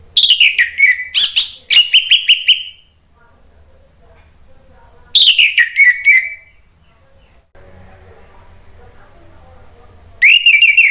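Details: Male orange-headed thrush singing a lure phrase in reply: fast descending whistled notes slide into short repeated trills. The phrase is given three times with silent gaps, and a faint low murmur sits between the bouts.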